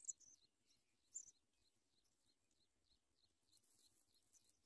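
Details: Sprague's pipit nestlings begging as an adult brings them big worms to eat; thin, high peeps repeat in quick succession, rising into a brief hissing burst at the very end.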